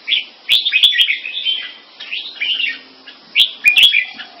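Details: Caged Singapore-kept red-whiskered bulbuls from champion-bloodline mutant crossbreeds in a competing display: bursts of bright chirpy warbled phrases, each under a second long, separated by short pauses, with a few sharp clicks.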